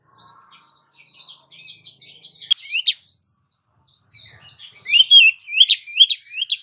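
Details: Oriental magpie-robin female calling the male: soft scratchy twittering builds into rising whistles, a brief silence, then a loud, fast sequence of bright upslurred whistles with sharp chips.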